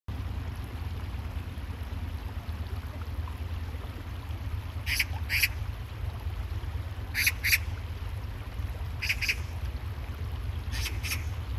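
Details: Oriental magpie giving harsh, rasping double calls, paired bursts at roughly two-second intervals over a steady low rumble of background noise.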